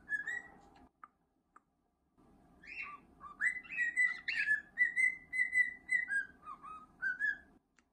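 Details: Male pet cockatiel, hatched 2017, singing contentedly while being scratched: a run of clear whistled notes, some rising, some falling, in a lively phrase after a quiet start with a few soft clicks, over a steady indoor hum.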